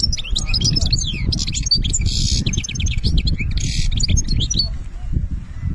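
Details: European goldfinch from Algeria singing the benna style: dense, rapid twittering with liquid trills and buzzy, nasal bursts that run almost without pause, over a steady low rumble.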